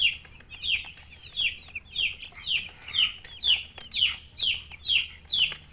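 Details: Young chicken chicks chirping in a regular series of bright, high peeps that fall in pitch, about two each second, each one swelling and fading, over a soft background hum.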